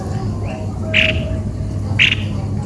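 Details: Two loud, rasping squawks from a cucak kopi-kopi, a bird described as sounding strange, about one second apart, with a faint softer note before them and constant low background hum.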